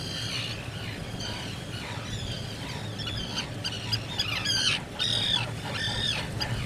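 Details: Black guillemot, a seabird ashore to breed, calling at its nest burrow: a series of high, thin whistled notes with slight buzzy harmonics, coming about every half second and growing louder and more crowded toward the end, over a low steady hum.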